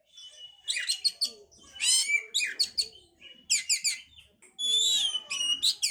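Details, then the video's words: Oriental magpie-robin song to bring on breeding condition: continuous energetic phrases of harsh chatters, trills and ringing whistles, with hardly any pause. "pancingan suara Kacer untuk mendongkrak birahi"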